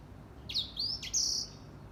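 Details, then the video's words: Grey singing finch in lively morning song: three clear whistled notes, each sweeping sharply upward and then held bright and high, the last the highest and longest, against a quiet background. "Grey Singing Finch / Edel Sanger Bird Singing / Gacor di pagi hari"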